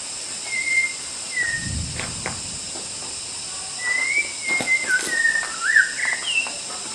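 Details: White-rumped shama training song meant for teaching other songbirds: a lone whistled note early, then a run of varied slurred and rising whistles in the second half, backed by constant high-pitched hiss and a brief low thump.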